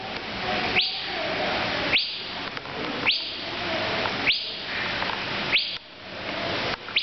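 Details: Male Asian fairy-bluebird (Irena puella) calling from a tree at the National Aviary, Pittsburgh, PA, on July 3, 2011: six sharp, quickly rising whistles, about one each second, over a steady forest hiss.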